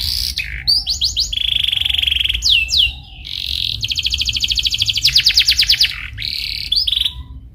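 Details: Lure recording of a canary singing to coax other canaries into song: upslurred whistles and chirps, a steady low roll, a swooping pair of notes, then a long loud buzzy trill ending in short whistles.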